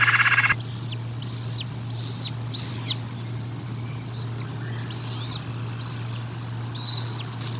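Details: Bald eagles at the Decorah North nest during feeding, recorded 04/01/2022 on a nest camera: a brief noise burst, then a series of high, arched chirping notes repeated roughly every half second, with a steady low hum beneath.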